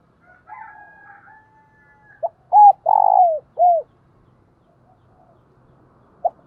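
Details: Spotted dove cooing in the thúc and gáy gọi lure-calling styles: a thin wavering whistle opens, then a phrase of a short note, a hooked coo, a long falling coo and a closing hooked note, with a lone note near the end.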